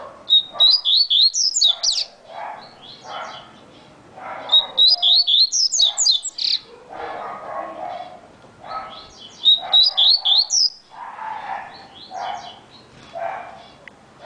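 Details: Very fast song phrases from a coleiro baiano, the yellow-bellied seedeater. Three bursts of rapid, high twisting chirps come roughly every four seconds, with lower murmuring sounds in between.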